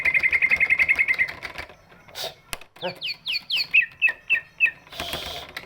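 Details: Greater green leafbird of large build, its voice used to draw out silent birds: a rapid chattering trill, a pause with clattering noise, then descending downslurred whistles and short chips, ending in a noisy burst.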